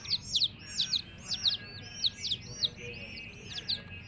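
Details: Baby chickens with a mother hen utter clear, sliding high peeps in small clusters, roughly every half second, against a soft low rumble.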